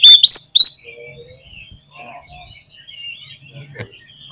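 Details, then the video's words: Oriental magpie-robin in full song, used to test another magpie-robin's mettle: a loud burst of rich whistled notes sweeping upward, three quick phrases in the first second, then faint twittering and distant chirps. "SUARA KACER GACOR"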